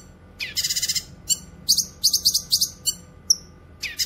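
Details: Grey-cheeked bulbul song used for training songbirds and luring wild birds: bursts of rapid, buzzy, very high trills and short sharp chips, broken by brief gaps, with a clear upswept whistle near the end.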